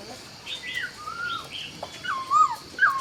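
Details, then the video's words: Laughingthrush at dawn in Vietnam, giving short clear whistled notes, some rising, some falling and slurred, spaced irregularly over a few seconds against a steady faint background hiss. "Chào Bình Minh | Nghe Tiếng Chim Khướu Hót Cực Hay"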